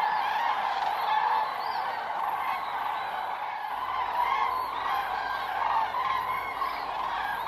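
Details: Common cranes gathering in large numbers at an autumn roost on the Milicz Ponds, Poland, in September 2023: a dense chorus of loud, rolling trumpeting calls overlapping continuously, with individual bugled notes standing out.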